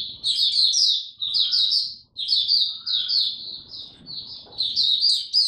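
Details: Oriental white-eye, a caged hobby songbird, singing its 'buka' opening song: dense bright chirping runs in quick succession, each break lasting under a second, with a soft low rumble in the room.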